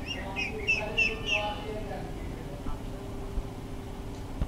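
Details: Duckling searching for food on the ground below a first-floor window, recorded on a Fujifilm JX250: a quick series of four or five high peeps at the start, then mostly quiet hum with a few soft sounds.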